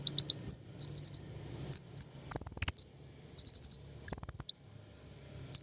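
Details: King konin song used as a lure for trapping birds: high, bright chirps in quick runs of four to six notes, with thin whistled trills and short gaps between phrases, over a faint low hum.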